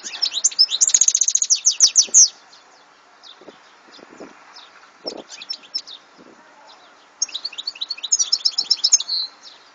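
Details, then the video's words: European goldfinch song in two fast bursts of bright, rapid twittering and jingling notes, separated by a quieter stretch of scattered chirps and soft clicks. "Chant de chardonneret"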